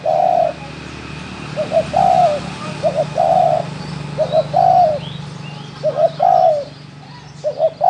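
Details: Wild spotted dove cooing in a rural setting: short grouped notes followed by a longer level coo, phrases repeating every one to two seconds over steady low engine hum and faint chirps of other birds.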